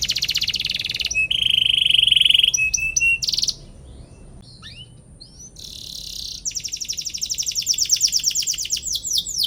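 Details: Canary song meant to spark rival birds into singing: a fast trill and a steady whistled rattle, a quieter gap with faint chirps, then loud rapid trills resuming.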